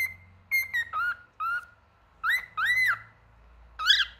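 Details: Male cockatiel song of spaced whistles: a flat held note, then short chirps and arched, rising-falling slurs separated by pauses, with a soft low hum in the background.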